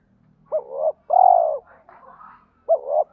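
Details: Spotted dove kept as a lure bird, calling in the 'thổ' voice blended with 'thúc đấu' fighting phrases to pull wild doves in quickly. Two-note coos repeat, with faint chirps from another bird between phrases.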